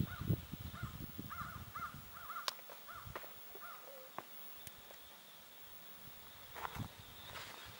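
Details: Shorebirds in a murmuration of about 30,000 during migration at Mary's Point, Bay of Fundy, New Brunswick, Canada: a run of short repeated chirping calls, then quieter, with wind rumble and clicks.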